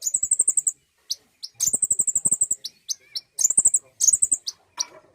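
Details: Common iora, locally called konin, in a recording played to prompt birds to sing: high, thin trilled phrases, each opening with a sharp drop, repeated about every second and a half with short chips between them.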